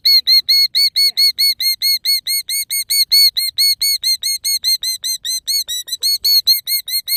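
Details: Near her pasture nest, a female killdeer acting injured to lure people off calls steadily: a long, rapid, even string of shrill, arched notes, roughly two per second, with nothing else heard.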